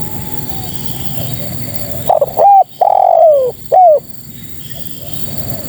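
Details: After a quiet stretch of hiss, a female spotted dove calling males delivers one phrase: short coo, drawn-out falling coo, and a brief final coo, then quiet again.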